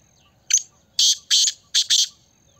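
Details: Kala teetar, the black francolin, calling in a loud rasping five-note phrase: a brief opening chirp, then two broad grating notes and a final linked pair, over near silence with a faint high whine.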